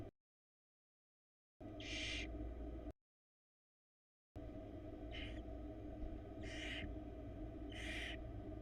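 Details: Nest camera in Florida, barn owl chick attempting to gulp down a large rat: a series of short breathy hissing screeches, one early and then three evenly spaced, with a constant droning hum and silent gaps.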